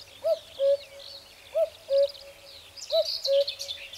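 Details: In spring, a common cuckoo (Cuculus canorus) gives its two-note 'cuck-oo', a higher note falling to a lower one, three times about every 1.3 seconds, with other birds twittering faintly behind.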